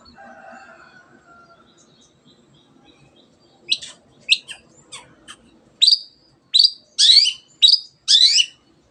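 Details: Singing cendet, or shrike, used to set quiet birds singing. After a few soft notes, sharp high chips begin, then grow into loud harsh rasping bursts with whistled slurs, repeated roughly every second.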